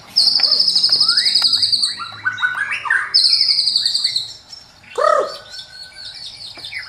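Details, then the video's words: White-rumped shama song for morning bird training: a long, high, fast-rattling trill, then a tumble of rising whistles, the trill repeated, and a loud low downslurred whistle before softer high notes. "Murai Batu Gacor Dor Full Isian || Untuk Melatih Burung Di Pagi Hari"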